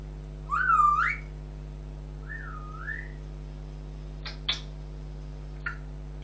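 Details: Pet African grey parrot whistling: a loud, rich swooping note that dips and rises, then a softer wavy whistle that rises at its end. A few sharp clicks follow. A steady low electrical hum runs underneath throughout.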